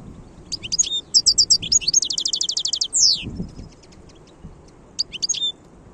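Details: Wild European goldfinch singing, recorded in 2022: a lively tinkling song with quick twittering notes, a fast even rattle-like run of repeated notes, and a descending slur, over a steady low background rumble.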